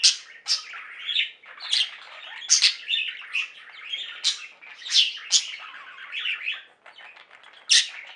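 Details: Budgerigars from a pet flock singing indoors: a continuous chattering warble of high chirps and squawky notes, with sharp loud chips every couple of seconds over a busy trill.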